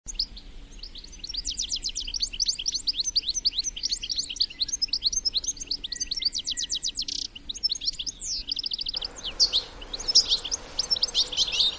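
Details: European goldfinch adults with young in the wild, singing and giving wild-type chattering: a dense, fast stream of tinkling, twittering high notes in rapid runs and trills. A brief steady lower tone sounds midway, and a hiss rises near the end.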